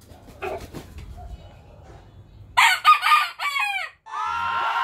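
A young rooster gives a harsh, cracking crow in several broken bursts, ending in a strained drawn-out note.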